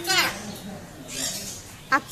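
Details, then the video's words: An umbrella cockatoo in Kolathur talks in Tamil: harsh, raspy, word-like bursts, one at the start, a breathy phrase mid-clip and a sharp short note near the end. "Cockatoo talking in Tamil"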